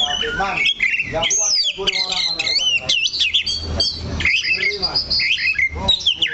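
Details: Song of a caged oriental magpie-robin perched in one place: quick sequences of twisting whistled notes, warbles and short chirps running almost without pause over faint background hum.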